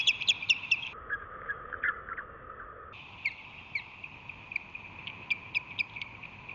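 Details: Ospreys in a March morning aerial skirmish as a resident female defends the nest against another female; bursts of sharp, high piping chirps in quick series, with a steady background hiss between calls.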